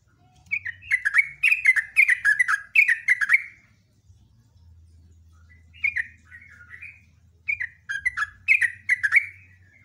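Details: Sooty-headed bulbul in loud, long song style, first a sustained run of rapid slurred whistles, then a pause with softer wavering notes, then another lively burst, over a low mechanical hum.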